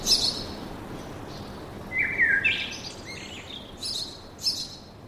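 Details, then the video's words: A few scattered forest bird calls: a high chirp at the start, a short falling whistled phrase near two seconds, then brief high chirps toward the end over a quiet background. "Пение птиц в лесу"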